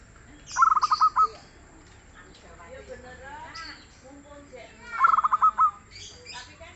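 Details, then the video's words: Local zebra dove, noted for abundant, soft singing, producing two phrases of clipped, bubbling coos that slow into longer tones, about four seconds apart. Speech-like sounds and chirps come between them. "SUARA BURUNG PERKUTUT LOKAL YANG GACOR DAN EMPUK"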